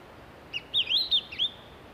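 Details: Begging by Japanese pygmy woodpecker nestlings in a nest hole, fed by both parents every 15 to 30 minutes, Shimokitayama, Nara Prefecture, Japan, late spring; a short burst of loud, wavering, squeaky high notes, four or five in quick succession.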